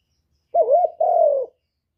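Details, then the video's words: A single spotted dove phrase used to stimulate birds: a brief wavering coo that dips and rises, then a longer steady, slightly falling coo, low and mellow, with a silent background. "Cu Gáy Giọng Cực hay kích bổi hiệu quả nhất, terkukur"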